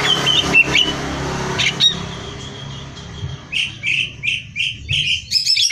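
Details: Greater green leafbird in full song, offered as training material for song competitions: scratchy chatter early on, then a string of short, loud whistled notes repeated about twice a second, with background hum.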